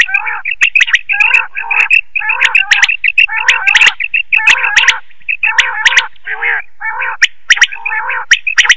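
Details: Quail call played to lure birds for net hunting at night, rapid groups of chirping, slightly nasal notes with lower chattering undertones, repeated in bursts about every half second to second, with crisp clicks interspersed.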